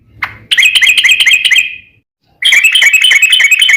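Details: Lure song of a Yellow-vented bulbul in a long 'ropel' roll. One chirp leads into a quick, bubbly trill that fades out, then silence, then a second rapid run of bright repeated notes.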